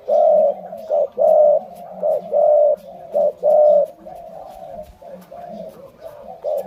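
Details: Spotted dove of the Malay style line cooing indoors: low, mellow hooting notes in a steady rhythm, roughly one phrase per second, alternating longer and shorter coos, with a faint softer coo behind.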